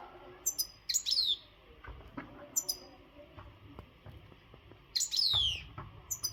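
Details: Untutored European goldfinch of the Maghreb type, in singing readiness and full of energy. Several short bursts of thin high chirps, each ending in a falling slurred whistle, with low thumps in between.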